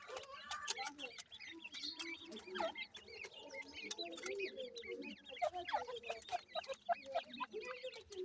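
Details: Grey francolin chicks at feeding time, bred in captivity, giving a busy chorus of short, high, chirping peeps that overlap and rise and fall quickly, with softer lower twittering beneath.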